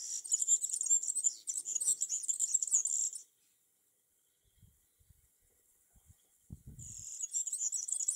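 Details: Summer song of a European serin perched in a tree, a thin, rapid, glittering jingle running for about three seconds, a pause with a few faint low knocks, then the high twittering resumes.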